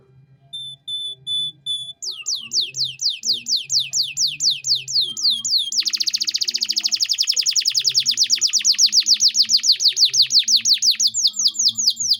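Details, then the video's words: Captive canary song used as training audio for other cage birds, in the rich cengkok style: pure high whistles, then fast repeated downward-sweeping trills that speed into a dense rapid rattle, then slower sweeps, with faint low background hum. "MASTERAN KENARI GACOR || Cengkok Mewah Mudah Masuk untuk Burung Bahan & Paud"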